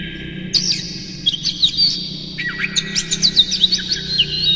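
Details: Vigorous Oriental magpie-robin song rich in imitations, used to raise the excitement of other magpie-robins: quick high twitters and slurred whistles in tight bursts, over a low steady hum.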